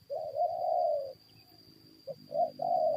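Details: Spotted dove luring wild birds into a fight: a long rough cooing phrase, a gap, then a short note and two drawn-out coos, under a constant high electronic whine.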